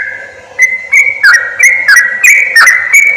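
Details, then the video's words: Sooty-headed bulbul lure calls meant to attract wild birds for trapping: a steady whistled note with short down-slurred chirps breaking in several times, after a quiet start with faint low hum. "SUARA PIKAT BURUNG CRUKCUK/TRUCUK BUAT PARA PEMIKAT"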